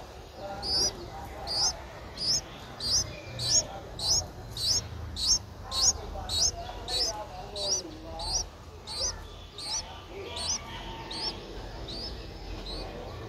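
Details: Nine-day-old Streak-eared Bulbul nestling, eyes opened at seven days, recorded in Ubon Ratchathani, Thailand, on 11 April 2023: thin, high upslurred squeaks repeated steadily about every 0.6 seconds, with soft low background rumble.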